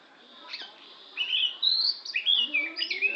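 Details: Oriental magpie-robin of the Lampung type singing: after a quiet first second, a run of high, varied whistled phrases with sweeping slurred notes and quick twittering changes, continuing to the end.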